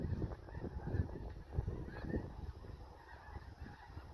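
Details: A large flock of snow geese at a National Wildlife Refuge makes a dense, continuous morning din of overlapping nasal honks and yelps, with no single caller standing out.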